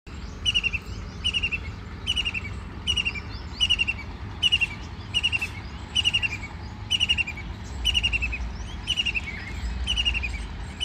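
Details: White-throated kingfisher bathing and flying: a loud rattling call of quick descending notes near the high end, repeated in bursts roughly every second, with low rumbling background noise.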